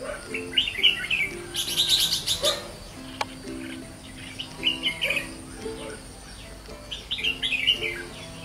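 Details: White-cheeked red-whiskered bulbul kept for decoy and fighting, singing in 'ché' style: short bright warbled phrases in clusters, a brief harsh noise burst near two seconds, soft low music underneath.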